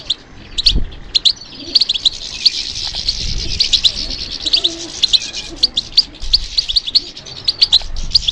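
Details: Responding to stimulation, a European goldfinch keeps up a rich, high twittering song of quick, sharp chirps and buzzy trills, with a low thump near the start.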